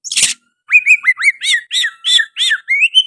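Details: Oriental magpie-robin song featuring sooty-headed bulbul phrases: one harsh rasping note, then a steady run of about eight bubbly, arching whistled notes, each rising and dropping, evenly paced.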